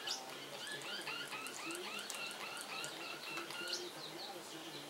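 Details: Two blue male Pacific parrotlet brothers chatter nonstop in quick, high, scratchy chirps and short twittering notes that overlap and tumble over each other.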